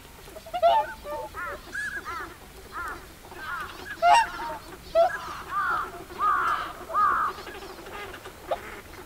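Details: Whooper swans on a lake, with pintail ducks present, growing busy: many overlapping loud bugling honks, rich and harmonic, in rapid bursts of rising-falling notes over nine seconds, some near and some more distant.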